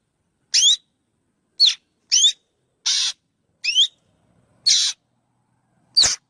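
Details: Black drongo giving seven harsh, scratchy notes, several carrying a bright upward-sliding whistle, spaced roughly a second apart against a silent background.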